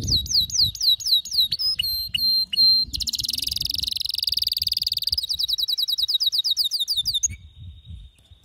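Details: Male canary in excited, frenzied song: a rapid tour of high upswept chirps, a few clipped notes, a long harsh buzzy rattle, then a fast even trill of sharp notes ending abruptly.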